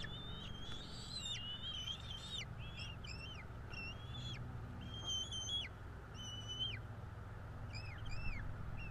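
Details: Two bald eagle chicks at a nest in northeast Florida during feeding, 5 April 2022: thin, high whistled calls, each bending downward at the end, given in quick repeated series over a low steady rumble.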